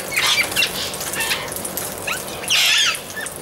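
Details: Amazon parrot giving two harsh, raspy squawks, one near the start and a louder, longer one at about two and a half seconds, with faint scattered chirps and rustling between them.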